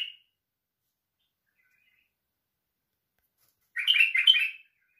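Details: White-eared bulbul singing: a short, faint note at the start, then after a long silence one rich, warbled phrase of quick fluttering notes, slightly under a second long, with no other sounds.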